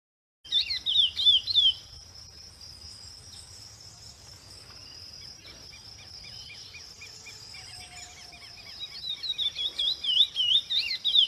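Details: Chestnut-bellied seed finch, called curió pardo, giving bursts of rapid, high whistled and warbled song notes at the start and again at the end, with a steady high buzzing tone running underneath the whole time.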